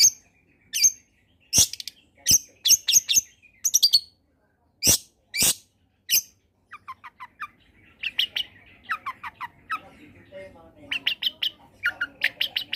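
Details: Lively combination song of a long-tailed shrike, a lure for shrikes that will not sing: sharp, high, clicking chips in bursts, shifting to quick downslurred whistles and a busy chattering jumble.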